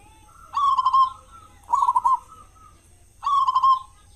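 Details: Loud-voiced local zebra dove, a lure bird to set other doves singing mornings and evenings; three separate rolling, purring coos spaced about a second and a half apart, each ending in a drawn-out tail.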